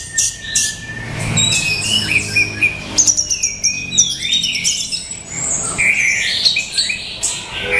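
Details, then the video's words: Male orange-headed thrush giving a dense, varied song of sweeping whistles, squeaky notes and short trills, phrases overlapping in quick succession with a faint low rumble beneath. "Tiếng chim Hoét lửa"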